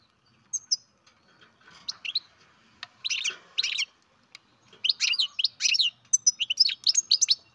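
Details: A baby captive-bred European goldfinch gives scattered thin chirps that build into denser, repeated twittering bursts toward the end.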